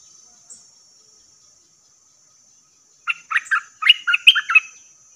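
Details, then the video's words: Wild-bird lure recording of a bulbul: after three seconds of quiet, a lively run of rapid, bubbling, chirpy notes jumps up and down in pitch, over a thin constant high-pitched hum. "เสียงต่อนกดอกแตงEp.85Bird soundsสำหรับต่อนกป่าตัวดุ!!"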